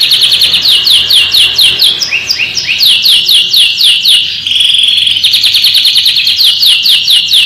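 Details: Tutor song of a canary for fledgling and young birds: steady repeated falling chirps at a brisk pace, a brief tangle of overlapping notes, a flat buzzy trill, then the descending chirps resume.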